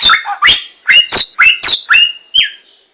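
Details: In the wild, a Hwamei gives loud, rich slurred whistles. The notes rise and fall, spaced about twice a second, and end on a clear upward-swept note.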